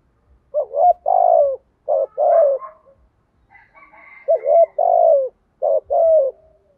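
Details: Spotted dove cooing continuously as a decoy-training call meant to get new decoy doves cooing along: low hollow phrases, each a quick two-note stutter then a long, slightly falling coo, repeated four times against a quiet background.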